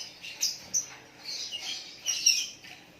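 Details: White-rumped shama singing naturally, giving short high chirps and sharp whistled notes in quick separate bursts.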